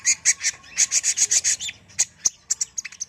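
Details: Kolibri ninja sunbird in brisk song: a fast series of loud, ringing high chips, then a pause and scattered sharp single notes.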